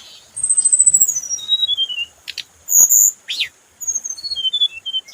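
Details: Lure song of a scarlet minivet: a long, very high whistle slides steadily downward, followed by stepped descending whistles, a loud piercing note and a final string of falling whistled notes.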